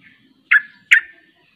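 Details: Sooty-headed bulbul (trucuk) in its 'ropel' style that sets other bulbuls singing: a faint chirp, then two strong, slightly slurred notes close together.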